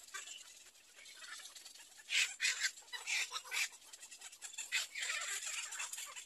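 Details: Little egret chicks in nest 3, waiting for their mother: bursts of harsh, broadband chattering in rapid clusters, loudest midway, over a steady hiss.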